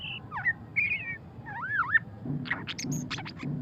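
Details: Murai batu pastol, a white-rumped shama, in ngeriwik song: sliding whistles that rise and fall in looping phrases, followed by sharp high ticks, with a faint low hum behind.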